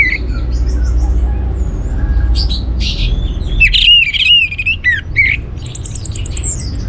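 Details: Orange-headed thrush song used to excite other birds into singing: a varied series of loud whistles, chattering bursts and looping slurred notes, closing with a thin high rapid trill, over low background noise.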